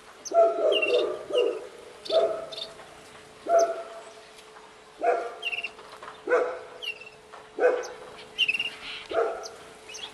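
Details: An aviary holding zebra, Gouldian, star and shaft-tail finches, canaries, king quail and diamond doves: nasal, honking finch calls about once a second, thin high chirps from other small birds between them, over a steady low hum.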